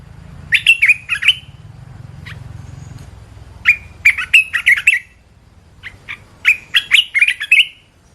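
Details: Red-whiskered bulbul sings three lively phrases of quick, slurred whistled notes, each a bouncy run lasting about a second, with short pauses and a soft low hum between.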